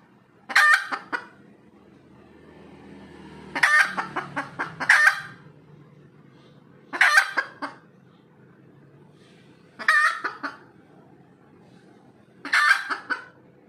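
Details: Red junglefowl after laying an egg, giving spaced bouts of clucking that swell into harsh, broad squawks, about six outbursts in fourteen seconds separated by quiet gaps, with a low steady hum.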